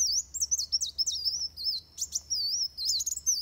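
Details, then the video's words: Van Hasselt's sunbird fighting song, used as a model for training birds: high, thin warbled notes in rapid wavering phrases, broken by sharp clicking bursts, high-pitched throughout with little background noise. "Suara Kolibri Wulung Tarung Buat Masteran"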